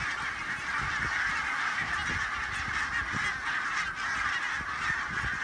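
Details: Barnacle geese taking off into vicious headwind at Loch Gruinart, Islay, giving an unbroken wall of many overlapping calls, with buffeting wind rumbles underneath.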